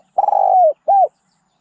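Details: Spotted dove giving a fragment of its song: one long, slightly buzzy coo that falls at the end, followed by a short rounded coo.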